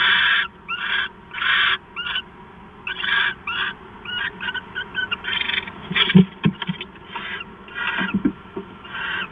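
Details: Early-morning owl pair at their nest, 4 September 2013 at 5:43, bonding. Rasping, breathy hisses come in rapid irregular bursts, with a few sharp clicks and thumps near the end.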